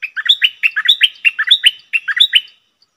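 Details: Red-whiskered bulbul kept as a decoy bird, calling in a rapid run of bright, bubbling, whistled notes that jump up and down in pitch, grouped in three quick bursts with brief gaps and no other sounds.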